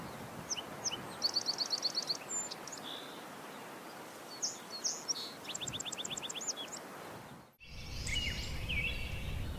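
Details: Crowned warbler repeating a rapid phrase of high, evenly spaced notes twice, several seconds apart, the second phrase falling away at its end. Scattered chirps from other birds and steady background hiss accompany it, ending in a louder noisy burst.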